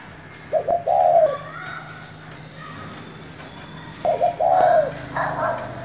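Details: Spotted dove using the 'thổ' voice to draw replies from other doves. Two low, soft coos open with a broken lead-in and end in a longer falling note. Faint higher bird chirps sound between and after them.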